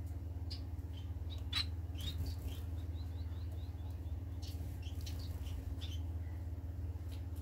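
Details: Society finches recorded March 25, 2020: soft, high chirps and a quick string of small rising notes over a constant low electrical hum.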